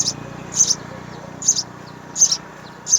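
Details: Young house sparrows, three in the nest, calling while the parents feed them: a few loud, high-pitched chirps spaced under a second apart over faint low hum.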